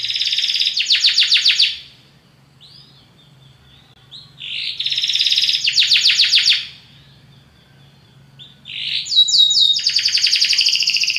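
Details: Belgian canary delivering a very powerful song in repeated bursts: dense high buzzy trills about two seconds long separated by quieter whistled notes, with a soft low hum underneath.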